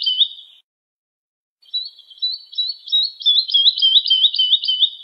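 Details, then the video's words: Lark song played for teaching young birds to sing: a short high twittering phrase, a one-second pause, then a fast run of repeated chirped syllables, about three or four a second, growing louder toward the end, with no background noise. "تغريد الولوال لتحفيظ الفراخ - chant d'alouette"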